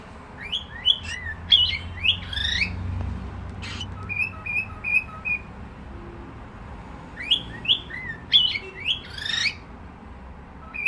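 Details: A cockatiel whistles warbling, up-and-down phrases in two bursts. Short, level, repeated peeps fill the gap between them, with a faint low hum behind.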